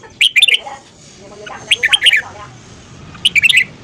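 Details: Morning song of a red-whiskered bulbul: three lively phrases of rapid, bubbling whistled notes spaced about one and a half seconds apart over faint background hum.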